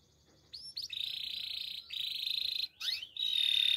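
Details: Gloster canary song used in training: a continuous rolled trill broken by brief gaps, with a pair of quick crossing sweep notes before a final roll.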